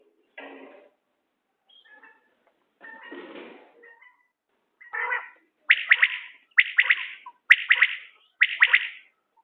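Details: Scattered soft scratchy notes give way to a common quail calling four loud, evenly spaced triple-noted liquid whistles in quick succession.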